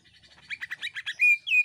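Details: Greater green leafbird in shrieking full song, used to make other birds sing. A quick chattering burst of about eight rough notes, followed by two long, pure, piercing whistles.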